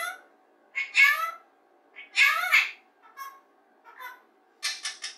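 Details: Pet rose-ringed parakeet playing alone in its playroom, practising human speech and singing: bursts of speech-like syllables, squawky wavering phrases and a few sharp buzzy notes, about a second apart.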